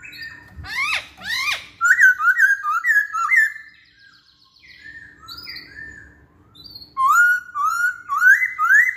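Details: Masked laughingthrush song meant to coax other songbirds into singing: two harsh sweeping notes open a fast run of rolling whistled phrases, then a pause and more quick warbled whistles.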